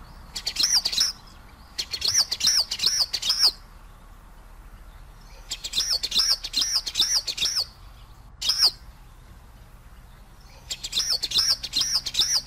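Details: Common waxbill song: bursts of high, thin arched chirps repeated in quick series of four to six notes, each burst lasting about a second with short pauses between, with clicky broadband ticks mixed in; quiet background otherwise.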